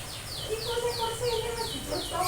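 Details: Cinereous tit, known locally as gelatik batu, in full sharp 'tembakan' song that makes other birds respond and imitate: a series of six high, clear downslurred whistles, evenly spaced about every 0.4 seconds, over a low background hum.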